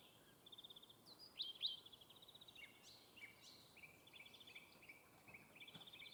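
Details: Fieldfare at its nest, a mother tending her brood of chicks: high, thin chirping notes in rapid ticking trains, repeated many times and overlapping, with a few sharper rising squeaks near the middle, over a soft steady background hiss.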